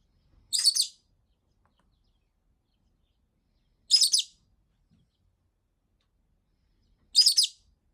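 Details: Frustrated pet rosy-faced lovebird, not played with for over a week, repeats a piercing, raspy chirp three times at roughly three-second gaps in an otherwise quiet room.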